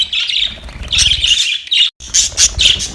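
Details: Playing budgies chirping in a dense, busy stream of high, scratchy warbles and squawky notes, briefly cut off near the two-second mark before resuming in short bursts.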